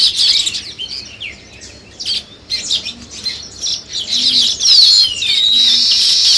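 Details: Busy buzzy chirping of weaver birds at work on a nest, with falling whistled slides. A low dove-like coo repeats softly in the background.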